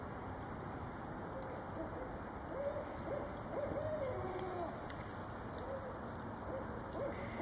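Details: A female Barred Owl gets a visit from her mate with much loud calling. The pair give short, rising-and-falling hooting notes in quick, overlapping bursts, over a steady high-pitched drone and low background rumble.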